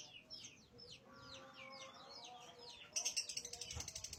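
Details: Lovebird giving a series of sharp, high downslurred chirps, then breaking into a rapid pulsed trill near the end. Low voices murmur underneath.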